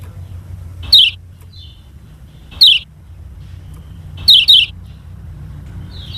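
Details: Lemon-bellied white-eye, the Lombok yellow kecial, in a training recording meant to coax other birds into learning and singing: sharp, high downslurred chirps in short paired bursts, repeated about every one and a half seconds over a low hum.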